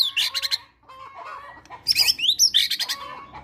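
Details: Caged white-rumped shama singing a song with mimicked Java sparrow material, meant to prompt another bird to sing; crowded, scratchy high twitters and short whistled slurs packed into quick bursts.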